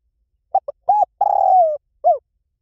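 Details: One full spotted dove phrase in the 'Liu Tan' style, used to train doves to reply: two quick clipped notes, an arched coo, a long rough-textured coo sinking in pitch, then a short rounded final note.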